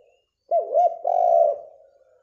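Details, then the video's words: Spotted dove (derkuku) singing energetically in the morning, used as a lure to draw other doves into answering: two short arched coos, then a long, steady, slightly wavering coo, over a soft continuous low hum. "DERKUKU GACOR dipagi hari!! SUARA MERDU COCOK BUAT MASTERAN & PANCINGAN"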